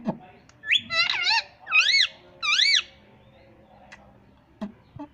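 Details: Indoor pet ringneck parrot attempting the words "mummy papa": three bright, wavering, rising-falling harmonic syllables in quick succession, followed by quiet room noise and a few soft clicks.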